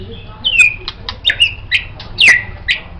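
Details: White-rumped shama singing as a master for songbirds: clear downslurred whistles alternating with short sharp clicks and chips, spaced irregularly.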